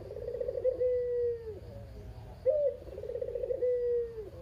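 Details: Kept local Barbary dove (puter, kugeru type), the remaining bird of a pair, very chatty. Two full coos, each opening on a sharp rising note, rolling into a purr and ending in a long drawn-out sinking tone.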